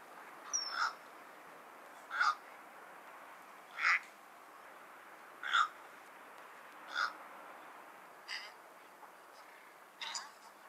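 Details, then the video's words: Cattle egret, locally called Bagula, giving harsh, croaking single calls repeated about every one and a half seconds, seven in all, the last few growing fainter, over a quiet, steady background hiss. "Cattle egret call"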